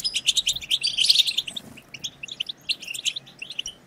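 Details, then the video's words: European goldfinches twittering collectively to rouse other goldfinches: rapid loud high chirps crowded in the first second and a half, then lighter spaced tinkling notes, with a faint low hum beneath. "هيجان خرافي وتحفيز من أول دقيقة بتبتة حسون خرافية لن يهدأ حسونك بعد سماعها قل وداعا لصمت الحسون"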